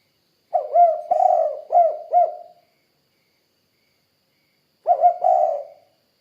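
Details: Spotted dove calling energetically in the 'kuk 2' coo style. One full mellow phrase of lead note, long rolling coo and two clipped notes, then silence, then the start of a second phrase.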